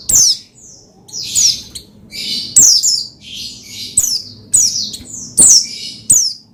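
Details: Oriental white-eye (pleci) singing, used as training material to stir another pleci into song: sharp, very high notes sliding steeply downward, given in bursts about every second, with softer buzzy fragments between them.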